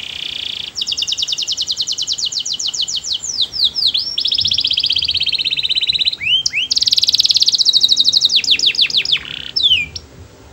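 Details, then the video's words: Melodious canary song in long rolling phrases: rapid trills of repeated high notes that speed up and slur downward, interrupted by a few swooping whistles and a dense buzzy passage. "Suara burung kenari bernyanyi merdu"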